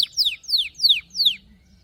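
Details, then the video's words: Canary phrase of four clear, slurred notes, each sweeping from high to lower pitch, evenly spaced about a third of a second apart, then fading to quiet. "غناء كناري لاسكوت ،لن يصمت كناريك عند سماع هذا الوحش Canary Bird singing"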